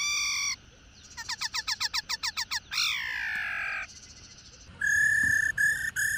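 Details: Female black-throated laughingthrush, long kept after capture from the wild, calling to stimulate singing males: a harsh note, a quick chattering series of short notes, a long descending rasp, then more buzzy blasts.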